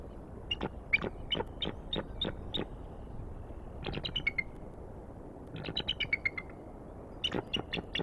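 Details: Bald eagles at Decorah on 21 April 2019, late afternoon. Thin, high, sharp piping notes come in quick runs, with several series stepping downward. They are fairly quiet over a faint background hiss.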